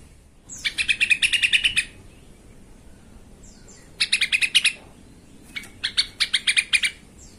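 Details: Excited yellow-vented bulbul, played to stir rival bulbuls into calling, giving three separate bursts of fast, scratchy, rattling notes, each about a second long, with short pauses between and a quiet background.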